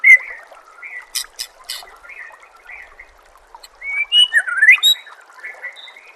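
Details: Murai batu (white-rumped shama) song for masteran training: varied whistled phrases with short chips and sharp clicks, building to a rapid run of rising, twisting notes near the end.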